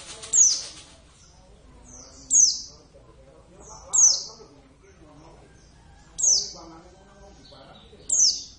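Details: Kept Javan Oriental white-eye (Pleci jawa, Zosterops palpebrosus javanus) in active song: sharp, high, downward-sweeping chirps about every two seconds, with quiet human talk underneath.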